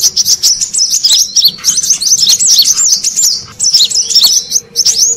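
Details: Brown-throated sunbird lure sound from Indonesia for attracting wild birds: a lively, steady chatter of shrill, up-and-down chirps with brief breaks.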